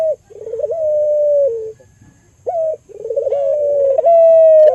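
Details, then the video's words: Albino Barbary dove of a local strain, its call used to lure and stimulate other doves: a long trilled coo holding a steady tone, a brief upward note, then a rolling coo ending in a clear sustained pitch. "Pancingan Burung Puter Lokal Albino Gacor Suara Merdu"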